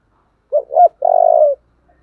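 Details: Spotted dove calling in the 'giọng thổ' voice style, with 'thúc' and 'gáy gọi' coos: a short two-part cooing phrase, then a longer, steady, slightly vibrating low coo, in quiet surroundings.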